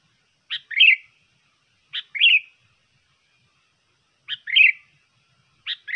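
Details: Sooty-headed bulbul song used as a lure recording. A short clipped note is followed by a bubbly, warbled phrase. The phrase repeats four times at uneven gaps over a silent background.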